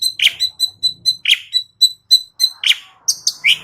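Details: Asian pied starling giving a regular series of thin, high ticking notes, broken by louder squeaky chirps every second or so.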